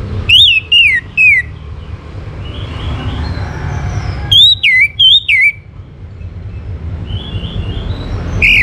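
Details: Orange-headed thrush from North Bali, Singaraja, singing as a lure to prompt other birds to sing: loud clear downslurred whistles in short bursts, a pause, then another cluster of slurred whistled notes, over a low steady background rumble.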